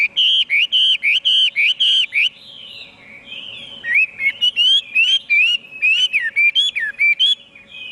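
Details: Chinese hwamei opening with a rapid, evenly spaced series of ringing looped whistles, then a soft, wavering passage followed by lively up-and-down whistled phrases repeated almost twice a second.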